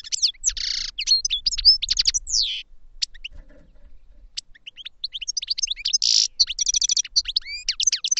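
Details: Song-training session of caged European goldfinches: dense tinkling twitter of quick rising and falling notes, interrupted by buzzy nasal bursts and rattling trills, with a brief lull near the middle before the fast warbling resumes.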